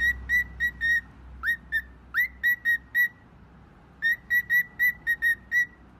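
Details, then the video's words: Phone-like ringing from a pet bird: bursts of rapid, even whistled beeps broken by two short upslurred notes, then a pause before another quick run of identical beeps. "Birb phone"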